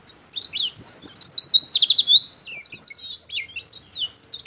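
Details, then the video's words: A gacor pleci (Oriental white-eye) song in ngeplong style, intended for training other songbirds or luring wild ones: a nonstop jumble of high twittering notes, buzzy trill bursts and falling whistles. "suara burung pleci gacor cocok buat masteran/atau buat pikat burung lain"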